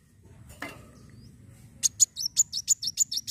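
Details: Kolibri wulung sunbird fighting song, used to stimulate other birds: after a brief noise, a fast series of very high, sharp, slurred chirps in the last second and a half.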